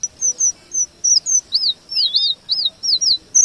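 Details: Male red avadavat (strawberry finch) in a rolling song combined with white-rumped shama material, used as a tutor recording for shamas: high, thin whistles, then a run of looping arched notes repeated roughly every third of a second.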